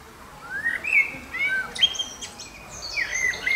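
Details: Common blackbird song: smooth fluting whistles rising and falling in quick succession, mixed with thin high chittering notes, loud and clear over a quiet background.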